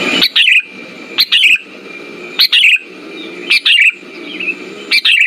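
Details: Sooty-headed bulbul song played as a lure to stimulate silent bulbuls: a short bubbly phrase, a sharp high note then a tumbling warble, repeated about every 1.2 seconds over a steady faint tone and soft background hum.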